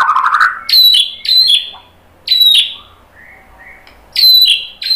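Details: Provoking song of an Indonesian white-rumped shama, aimed at getting other birds singing: short high ringing phrases repeated about once a second, with soft low whistles between them.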